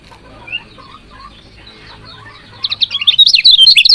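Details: Female lemon-bellied white-eye chirping to stimulate lazy males into song; after faint soft notes, a loud run of rapid, high, sharp chirps starts near the end and repeats several times a second.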